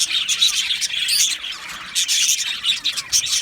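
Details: Happy budgies chattering inside an aviary, waves of high chirps and twittering that swell and ease, with bright whistled squeaks at intervals.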